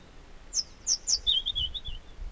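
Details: Wild European robin on the Chamorga trail in Anaga, Tenerife, singing three high, thin descending whistles and then a rapid series of lower twittering notes, against quiet rustling background.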